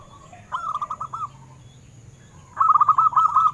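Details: Local wild-type zebra dove singing, used as a lure for captive doves: a short rolling burst of cooing notes, a quiet gap, then a louder, longer fast trill of clipped mellow notes continuing to the end.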